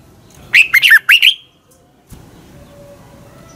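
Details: Red-whiskered bulbul morning song for bird training: one quick phrase of sharp, slurred whistled notes, followed by a quiet stretch with low background hum.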